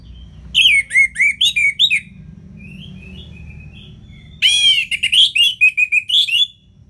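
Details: Orange-headed thrush ngeplong song with fast runs of loud, downward-slurred whistles, a soft pause of faint twittering, then another vigorous rapid phrase of bright, varied notes.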